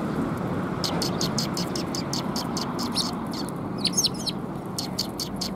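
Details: Sparrows, several birds, giving short repeated chirps in quick bursts, many notes per second, over steady low background rumble.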